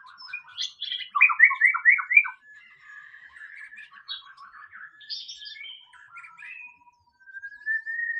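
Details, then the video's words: A white-rumped shama in the wild delivers a fast series of sharp downward-slurred whistles, then softer warbling and chattering phrases, ending in a long, thin rising whistle. "SUARA BURUNG MURAI BATU SUARA ASLI DI ALAM BEBAS"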